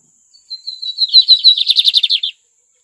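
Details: Loud, clean lined seedeater song from a bird called magnata: thin whistled introductory notes speed up into a rapid rattling buzzy trill of evenly spaced pulses, ending abruptly, with a quiet background.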